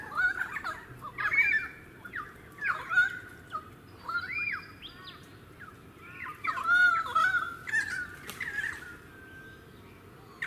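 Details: Pied currawong filmed in suburban Sunshine Coast, Queensland, February 2018, giving bursts of ringing, gurgling whistles and sharp upslurred notes, separated by brief pauses, with quieter background chatter between phrases.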